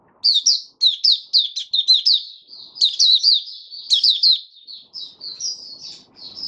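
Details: Oriental white-eye, a captive bird in open song, dewormed monthly, sings a rapid, high twittering song of short chirping notes, several per second, then thinner sweet whistles near the end.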